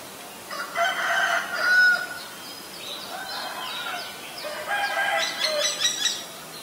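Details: A Common Myna (Acridotheres tristis) in Ubon Ratchathani, Thailand, recorded 3 May 2022, gives two harsh, gurgling bursts about three seconds apart, each mixed with a clear whistle and sharp clicking notes.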